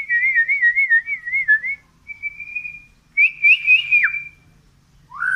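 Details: Medan-type white-rumped shama in full song while pushing its tail: wavering warbled whistles, a long steady note, then a rising and falling whistled phrase.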